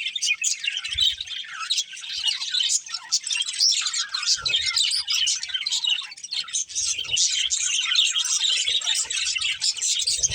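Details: Breeding pair budgerigars chirp and warble continuously at a high pitch, with dense overlapping chatter throughout and occasional low thumps and rustling.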